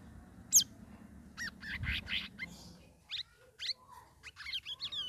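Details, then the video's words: Ngeriwik ngeplong singing from a caged sooty-headed bulbul trained for three weeks in ombyokan: a piercing high note, buzzy chattering bursts, then quick upward-flicking chirps that end in a rapid series. "CUCAK RAWIS NGERIWIK NGEPLONG"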